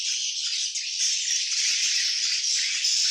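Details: Swiftlet colony heard as an unbroken hiss of overlapping high-pitched chirps and rattling twitters, steady and loud throughout.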